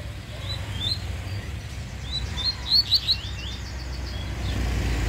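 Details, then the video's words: A Bahian-type double-collared seedeater, described as fast and competing, gives a quick burst of high, sharp chirps and slurred whistles, loudest near the middle, over a steady low rumble of traffic. "COLEIRO BAIANO MALUQUINHO DISPUTANDO"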